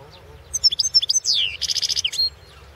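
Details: European goldfinch of the Balkan form, a competition song recording from the 2016 World Championship in Goldfinch Song: rapid high twittering notes, a descending slurred whistle, then a dense buzzy trill and a short final twitter, all very high-pitched.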